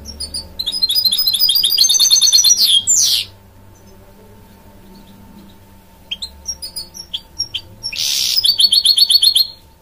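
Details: Goldfinch-canary hybrid, a mule, singing: fast twittering bursts of high trilled notes and sliding whistles, then a quiet pause with low hum before another bright, rapid buzzy phrase returns.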